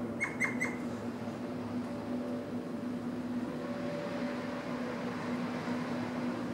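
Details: Pied oystercatcher at Deeban Spit, Port Hacking, NSW, Australia, 4/9/2016, where both parents take turns building a nest scrape, gives three quick, sharp piping notes in the first second, then falls silent over a steady low mechanical hum.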